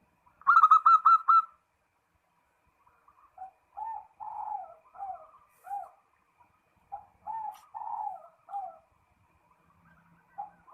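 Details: Zebra dove calling a rival: a loud burst of rapid, stuttering coos, then quieter broken coo phrases repeated in short groups, with near-silent gaps between them.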